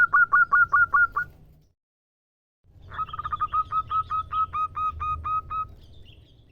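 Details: Local zebra dove female calling a male, giving loud clipped coos in a quick row, a short silence, then a rushed stuttering burst easing into evenly spaced, slightly softer repeated notes; low rumbling background.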